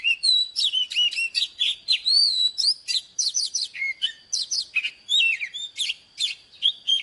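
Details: Oriental magpie-robin singing in the morning, used for training caged birds: a rapid, varied run of high whistled notes, slurred rising and falling phrases and sharp chips, with barely a pause between them.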